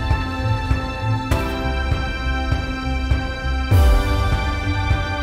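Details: Dramatic theme music plays throughout, with a low sustained tone, bright held chords and heavy rhythmic hits.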